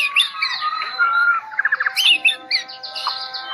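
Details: Medan white-rumped shama that bows down while singing: a varied run of loud whistled phrases and sliding notes, a quick burst of five buzzy pulses midway, then bright chirps over steady faint tonal lines.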